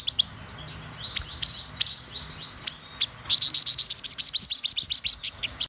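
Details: Black-throated sunbird, described as a top-class bird: a few thin whistles and sharp chips, then a quick, bright trill of high repeated notes in the second half.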